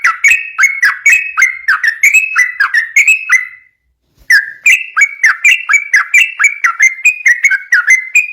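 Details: Sooty-headed bulbul delivering rapid, vigorous song used to draw and train other bulbuls. Quick chains of fluty, downward-slurred whistles mixed with crisp ticks break off briefly near the middle, then resume in the same lively tumbling rhythm.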